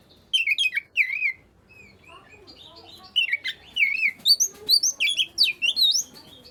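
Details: Lively Oriental magpie-robin song meant to set silent birds of its kind singing: loud warbled whistles opening, a quieter spell of thin notes, then a renewed string of sharp, clear sliding whistles repeated in quick pulses.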